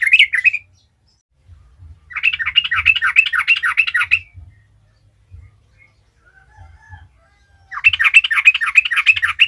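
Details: Trucukan, the yellow-vented bulbul, in energetic ngalas-style song played as a lure for other bulbuls: a brief note, then two long rapid chattering bursts separated by several seconds of near silence, faint low rumble beneath.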